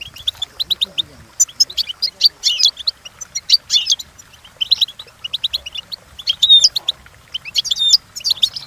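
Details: A European goldfinch sings a long training song of repeated bright chirp bursts and rolling twitters, broken by short pauses, with a few clear, ringing whistled accents toward the end.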